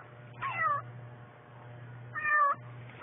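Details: Eurasian jays guarding four fledglings, meowing like a cat to drive a pet rook away from the chicks; two clear wavering mewing calls about two seconds apart, with a steady low hum beneath.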